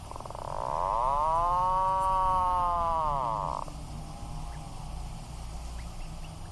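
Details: Atlantic puffin uttering one long, groaning, arched moan lasting about three seconds, swelling then cutting off abruptly, followed by quiet background hiss.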